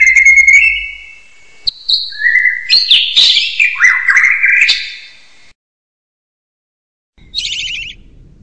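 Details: Hill myna whistles that rise and fall in varied, wavering phrases for about five seconds, then silence, ending with a short, harsh, buzzy high burst.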